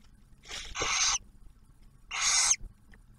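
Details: Barn owl at the nest in Ottawa National Wildlife Refuge, Ohio, as the male delivers food and the female shares the meal with the newly hatched owlet. Two rough screeches are heard, the first broken into two parts, both somewhat softer.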